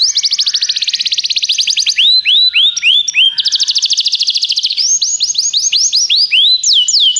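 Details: Belgian 'professor' canary singing continuously: a very fast buzzy trill, a phrase of slower rising whistles, another rapid trill, then bright upswept notes in quick series, loud and clean.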